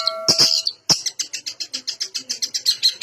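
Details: Long-tailed shrike in full varied song, used to coax reluctant shrikes to sing: after two sharp bursts, a fast even chatter of high scratchy notes, about six per second, runs without pause.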